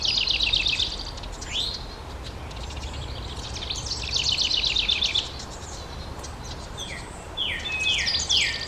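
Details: House wrens at a nest box as the last two of five young fledge into dense hemlock, filmed with a Canon SX70. Buzzy trill bursts alternate with pauses, ending in three loud down-slurred notes.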